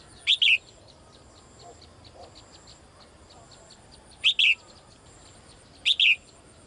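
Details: Caged female bird calling to the male. Three bright, high double chirps, a short note and then a longer falling one, come at uneven gaps of about four and two seconds. Faint soft ticking sounds in the background.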